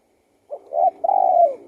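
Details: Spotted dove giving one low cooing phrase: a short soft note, a brief coo and a long sustained hoot gently falling away at the end, with quiet surroundings.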